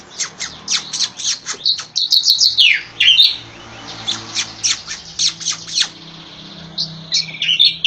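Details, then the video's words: Javan striated grassbird, palustris race, in a masteran tutor recording: busy run of sharp high chips and squeaky notes, with a descending slurred whistle and bright trills, over a faint low hum. "Masteran TEMBAKAN Burung CICA KORENG JAWA!!"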